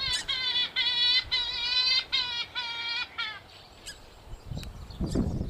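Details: Hunting lure of a purple swamphen calling: a quick series of bright, nasal, overtone-rich notes for about three seconds, then fading to near silence with a few scattered clicks and low thumps.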